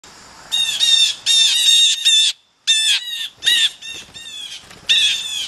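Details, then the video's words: Excited, chatty blue jays rushing in to grab peanuts give harsh, noisy squawking calls in quick bursts, several overlapping in loud, rasping bouts with brief pauses between. "Excited blue jays rush in to grab some peanuts"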